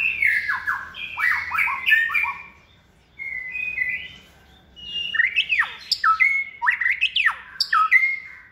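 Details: White-rumped shama in a cage, in its second season, raised by hand and prized for a varied voice, sings a burst of quick chattering whistles, then after a pause a series of sharp, sweeping downslurred notes.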